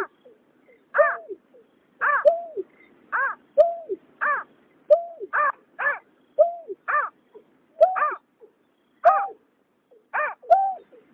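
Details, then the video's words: Male and female painted snipe and white-breasted waterhen calling, recorded in 2021: a steady series of hollow, arched hooting notes alternating with short, harsh, buzzy bursts, roughly one each second, in a quiet background. "Tiếng nhát hoa, cà cuốc trống mái"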